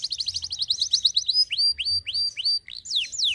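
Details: Canary song opening with a quick buzzy trill, then slower clear whistles sliding upward, ending in looping rising and falling notes.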